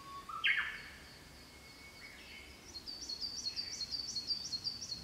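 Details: Japanese robin singing in budding larch forest in early summer in the Daibosatsu range, Kōshū, Japan, with spring cicadas calling. An abrupt high note leaps up and falls away, then quick repeated high notes rattle out.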